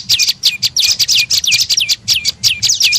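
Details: Lure call of the prenjak lumut, a tailorbird, meant to draw birds in: quick, high, downward-sweeping chirps ending in a brief level note, about three per second.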